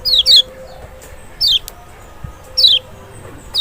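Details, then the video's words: Lemon-bellied white-eye (Zosterops chloris maxi, Lombok or Sumbawa) lure recording to coax a lazy bird into calling; five piercing descending whistles in irregular spacing, with a low steady hum running underneath. "panciangan sepesial Kecial malas bunyi nggak mungkin nggak respon"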